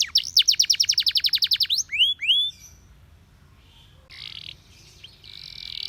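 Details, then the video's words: Canary song meant for training canaries: a rapid trill of about a dozen sharp repeated notes, then a few rising whistled sweeps, followed by quieter buzzy tones and faint background hiss. "Your canary immediately sings when you hear this canary chirp"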